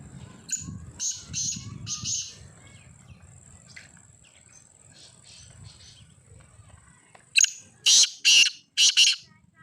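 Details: A black francolin, locally kala teetar, utters a harsh buzzy three-note phrase, stays quiet for several seconds amid faint ticks, then gives a louder rasping phrase of four grating notes.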